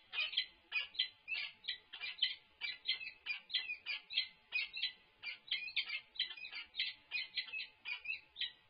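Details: At the UC Berkeley peregrine falcon nest during a food delivery on 3-6-24, the falcons give rapid, evenly spaced rasping calls, roughly three a second, over a faint steady hum.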